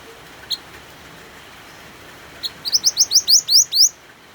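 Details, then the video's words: White-eye (mantenan) singing with rain sounds, used to encourage other songbirds such as pleci to sing: a few isolated high chips, then a fast run of about eight sharply rising whistled notes over steady hiss. "MANTENAN GACOR DENGAN SUARA HUJAN"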